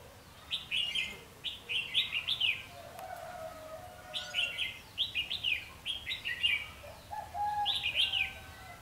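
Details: Red-whiskered bulbul singing during trapping with a decoy bird, 14 March 2016: bright warbled phrases given in bursts of three or four quick notes, repeated every couple of seconds, with softer lower whistles in between.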